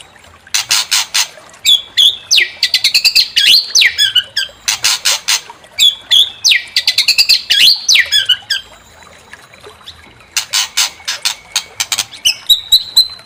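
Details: White-rumped shama song used to stir another bird into singing its full repertoire: fast, loud bursts of clicking notes mixed with swooping, looping whistles, repeated in several long phrases with short gaps, ending on a sustained whistle.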